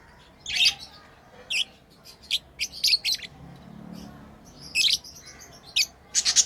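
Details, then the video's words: Tame lovebirds playing, giving sharp high chirps spaced through the clip, single and in short pairs, ending in a loud quick burst. "Lovebirds playing & Chirping sounds"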